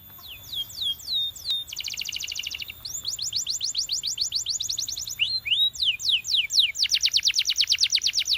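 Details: Belgian canary singing a training song: a few sweeping whistles, a dense buzzy rattle, then long fast trills of descending notes and rising slurred phrases, continuous and bright.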